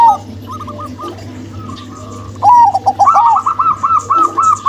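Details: Zebra dove song from a local-type female and a crossbred male: faint, broken coos at first, then a loud rippling phrase of fast notes that settles into an even, repeated series of bright coos over a low hum.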